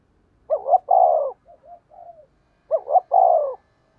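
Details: A decoy spotted dove calling to draw wild birds gives two deep cooing phrases, each a quick paired note then a long hollow coo. Short soft coos fill the gap between them, with nothing else audible.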